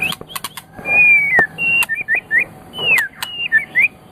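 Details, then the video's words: White-rumped shama song for tutoring pet birds: long pure drawn-out whistles, slightly falling, alternating with short twisting whistled phrases and a few sharp clicks. "Suara Burung Murai Batu"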